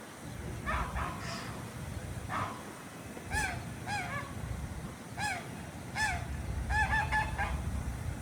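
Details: Ducks on the water at Jardin aux Canards, Monaco, on a morning, call in a series of nasal, down-curving honks, some doubled, growing busier toward the end, with a soft watery rumble underneath.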